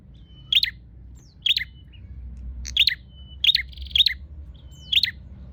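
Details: Bar-winged prinia seeking a rival, giving loud clipped chirps at irregular intervals of roughly one second, each a short high burst with a thin whistled lead-in, some paired, against faint low rumble.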